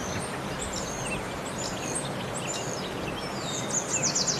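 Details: American waxwing calling: thin, very high lisping notes and short buzzy trills scattered over a steady hiss of background noise, ending with a louder rapid trilled series.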